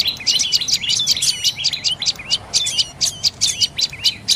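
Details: Dark-necked tailorbird giving a fast, insistent string of shrill chirping notes, each a sharp high tick falling into a short slur, bunched in quick bursts with brief gaps, against a quiet background.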